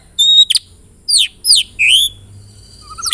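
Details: White-rumped shama lure song: a pure high whistle, then three or four sharp downward-sweeping slurred notes and a rising phrase, played to trigger other shamas into song.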